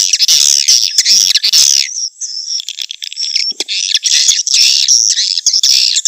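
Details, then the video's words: Swiftlet calls for a nest-house business: loud, dense twittering and buzzy chatter with sharp clicks, briefly thinning around two seconds before resuming at full strength. "suara burung walet untuk pemula Usaha sarang walet"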